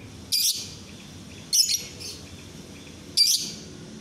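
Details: Lovebird training song (masteran) by day: three sharp, high-pitched chirp bursts, each about a quarter second long, with a softer chirp between the second and third, over quiet low hum.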